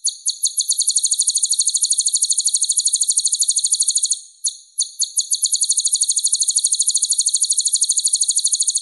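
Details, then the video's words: Purple-throated sunbird, known in East Java as kolibri ninja, in a masteran training recording; a rapid, very high, even trill of sharp chirps that breaks briefly near the middle, then resumes at the same fast pace over a silent background. "MASTERAN KOLIBRI NINJA Suara Bening"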